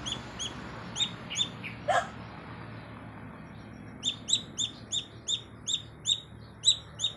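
A young chick gives loud, high, slightly falling peeps, several per second in two bursts, calling for its mother; a single lower note sounds between them.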